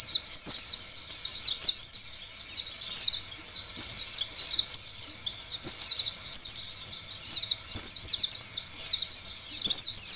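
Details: Lure song of an Oriental white-eye meant to prompt other white-eyes to sing, a nonstop high chattering warble of fast slurred notes in runs of about one to two seconds separated by short gaps.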